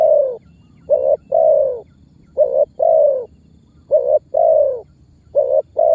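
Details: Spotted dove calling and pressing sounds, played to make other birds answer and to help trappers bring birds closer; soft low coo pairs, clipped short note followed by a longer falling one, about every one and a half seconds.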